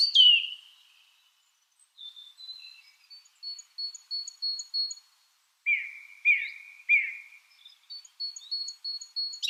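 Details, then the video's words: Lovebirds chirping: a loud descending squeal, soft high repeated tweets, then a row of rhythmic squeaky chirps about every half second, followed by more faint high tweets. "beautiful love birds chirping sounds"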